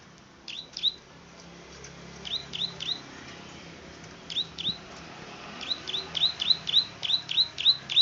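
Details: Plain prinia (Prinia inornata), a rice-field bird, singing sharp, high clicking notes in quick bursts that speed into a rapid repeated series of about three per second.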